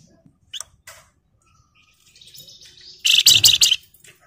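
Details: Flamboyan bird in full 'gacor' song of the 'ngebren' and 'nyerecet' style: a few sharp high chips, then a dense burst of rapid buzzy, rattling notes lasting under a second.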